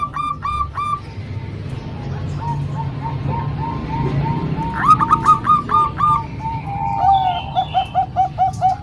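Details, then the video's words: Zebra doves, three of Bangkok type and one local, singing together as training for young birds. Clipped, soft coo notes run in a steady string. A higher rolling burst and then a quicker throbbing series follow over low background rumble. "Kombinasi 3 Suara Perkutut Bangkok Dan 1 Lokal|Untuk Melatih Perkutut Bahan"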